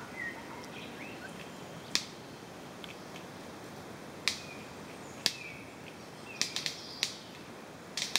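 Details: Orange-collared manakin performing a courtship dance, heard as loud, crisp cracking snaps, some single and some in quick bursts of two or three, about nine in all, over soft background bird chirps and forest hiss.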